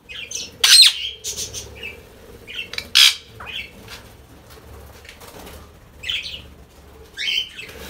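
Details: Ringneck parrots giving loud harsh squawks in irregular bursts, with sounds of wing flapping and rustling between calls, apparently indoors.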